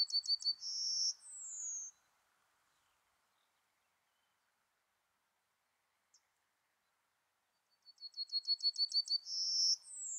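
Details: Yellowhammer singing: a quick run of repeated dry, thin notes ending in a drawn-out high note and a falling slur, then silence before a second phrase of rapid repeated notes rising into another long note.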